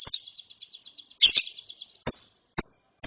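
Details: Lovebird chick after therapy, in the ngeriwik style: a fluttering run of faint high twitters, then a loud scratchy burst, followed by single sharp chirps spaced about half a second apart.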